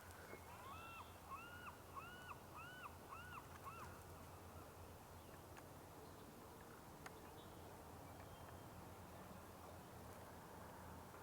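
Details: Distant American Crows at Sargeant Bay Provincial Park, British Columbia, on an April 30 morning give a quick series of about six harsh caws, roughly two per second, over steady low outdoor rumble; more crows call afterwards.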